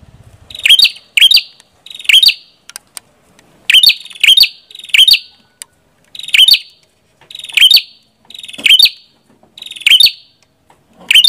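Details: Red-headed prinia singing a steady series of short, sharp, buzzy chirps, often paired, repeated roughly every second over a quiet background.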